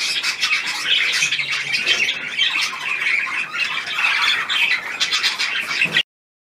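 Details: Several pet budgerigars by a leftover apple squawk and chatter without pause, harsh scratchy notes mixed with higher chirps, loud and continuous until the sound cuts off abruptly.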